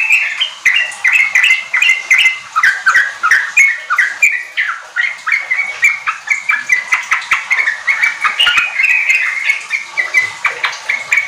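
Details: Sooty-headed bulbul singing steadily, played as a lure so untrained caged birds kept together begin riwik and ropel song. Unbroken run of chirpy, bouncing notes repeated several times per second.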